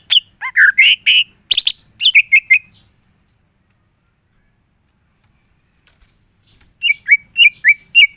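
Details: Greater green leafbird (cucak ijo) singing gacor in the full isian style, said to make other cucak ijo join in. A burst of varied whistled and buzzy notes, three seconds of silence, then a string of short down-slurred whistles.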